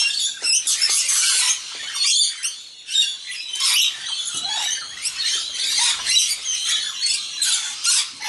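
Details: A flock of wild rainbow lorikeets feeding together at dinner time, including a young bird; a dense, continuous chatter of shrill screeches and squawks from many birds at once.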